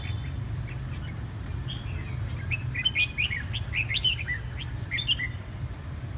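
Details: A red-whiskered bulbul getting its voice back after chronic cough and hoarseness sings a string of short, bright, slurred whistles in quick succession with brief pauses, against a continuous low-pitched hum.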